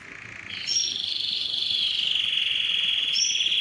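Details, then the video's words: Smooth, continuous rolling trill from a singing yellow canary, easing gradually lower, with brief thin high notes at the start and near the end. "yellow canary singing"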